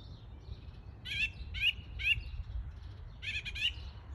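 Song thrush giving bright, slightly buzzy notes repeated about every half second, then a quick pair, over a low background rumble.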